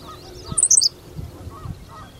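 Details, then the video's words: A Henslow's sparrow singing at Goose Lake Prairie gives one very short, high, hiccuping 'tsi-lick' of a few sharp notes over a faint low rumble. "Henslow's Sparrow song"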